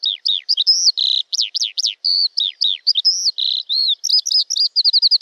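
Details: Male Eurasian skylark song, typically delivered in flight while hovering over its territory in British farmland or open country: a continuous, fast, unbroken outpouring of high rolling chirps, trills and slurred notes, ending in a rapid repeated trill.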